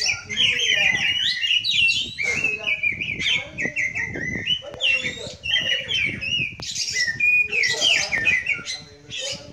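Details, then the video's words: Oriental magpie-robin (kacer) singing on a relaxed Sunday at a kacer meet-up: rich, varied whistled and chattering phrases, sliding and warbling, delivered almost without pause, with faint human voices low in the background. "Kacer Murai Kampung"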